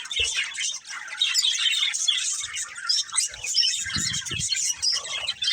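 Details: Budgerigar breeding pair chirping: a lively, continuous high-pitched twitter of quick squeaky notes, with a few soft low bumps in the background.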